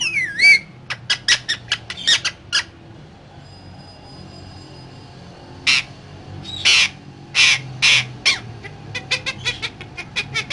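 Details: Parrot, described as talking, giving a rapid series of short, harsh, broadband squawks and clicks, with a few longer noisy bursts around the middle and a quick run of sharp ticks at the end; a faint low hum underneath.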